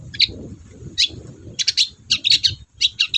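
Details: Long-tailed shrike singing energetically, used as a lure to prompt reluctant shrikes to sing: short bursts of harsh, scratchy chattering notes, high-pitched and clustered, with pauses of about half a second between groups.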